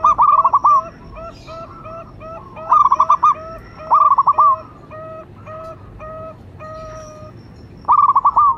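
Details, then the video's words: Local zebra dove giving its lure call, meant to coax other doves into calling. Stuttering coo bursts alternate with a steady run of paired, lower evenly spaced notes, about fifteen phrases per minute. "Perkutut lokal gacor jawara pikat dan pancingan nada suara panggilan"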